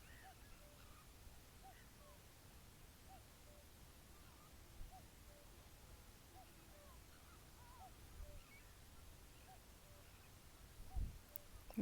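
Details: A distant cuckoo at New Forest marshes, with ponies and swans nearby, repeats its soft, falling two-note 'cuck-oo' about once a second, over steady low wind rumble and a brief knock near the end.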